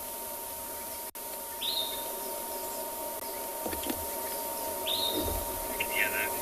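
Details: At sunrise on 17 June in Tswalu Kalahari Reserve, South Africa, a sombre greenbul gives two clear, melodious whistles about three seconds apart, each sliding up sharply then levelling, with a burbling note after, over steady hum and faint outdoor noise.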